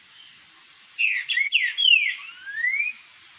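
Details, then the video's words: Green-winged saltators in a song dispute trade song: a short note, then a run of clear, slurred whistles ending in a long rising phrase, all within about three seconds. "BOIADEIROS travando uma disputa boa"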